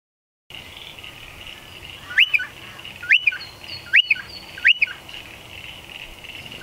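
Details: Striated pardalote close to its nest in a stone wall under a shed; four loud, clear two-part calls, a rising sharp note followed by a short lower one, about once per second, over a steady high hiss.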